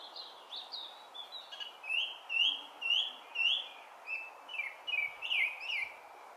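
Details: Song Thrush in Brighton, June 2020, delivering loud repeated whistled phrases, each note swooping up and down, about two per second and strongest mid-phrase, with fainter high chirps between them.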